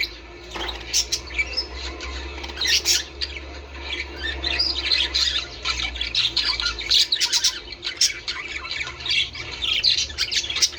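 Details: Budgerigar sounds used to prompt breeding: harsh scratchy squawks and rapid chirps mixed into continuous high twittering chatter, with a low steady hum underneath.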